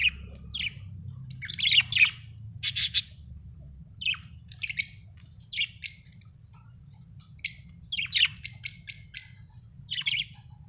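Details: Budgerigar, described as happy, chirping: a busy run of short sharp chirps and squawky notes, some clustered in quick rapid bursts, others spaced by brief pauses over about ten seconds, with a faint low hum beneath.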